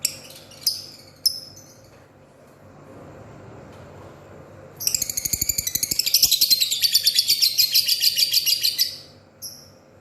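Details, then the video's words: Lovebird in the morning, heard in short high chirps early on, then a dense burst of rapid, shrill, repeated twittering notes lasting about four seconds before a final brief chirp; faint room hum underneath. "Ocehan love bird pagi hari"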